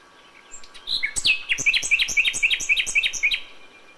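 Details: Common nightingale in May at dawn delivering a rhythmic phrase: a sharp whistled onset followed by about a dozen quick, clipped notes repeated at an even pace.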